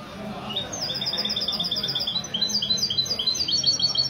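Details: Mestizo goldfinch hybrid singing in a café during a goldfinch club's Sunday morning meet, Ksar El Kebir, Morocco, February 2020. Rapid, high, evenly spaced twittering notes run without a break over a soft hum of people.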